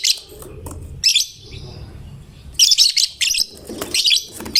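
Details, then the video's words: Caged lovebird in full song, said to draw other lovebirds into singing; harsh buzzy high chirps in ragged bursts about a second apart, with a low hum beneath. "Lovebird GACOR Fighternya Memancing LB manapun Ikut Bunyi"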